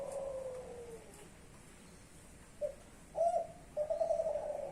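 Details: Low cooing phrase from a young Kelantan-type spotted dove of champion lineage: a long, gently falling coo, silence, then a short note, an accented coo and a sustained vibrating coo.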